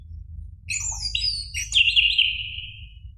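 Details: Orange-headed thrush singing, recorded as a lure to coax a caged bird into song: a quick burst of high, sharp notes flowing into a long warbled whistle that fades away.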